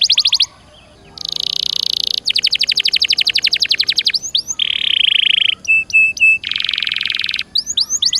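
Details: Canary song used as a training lure for caged canaries: varied passages of fast buzzy rolls, rapid trills, brief sweeps and steady whistles, with a short quiet gap near the start.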